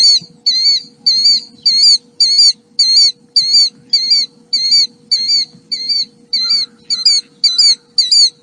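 Killdeer giving a long run of shrill, high, two-part 'kill-deer' calls, about two every second, over a faint low hum.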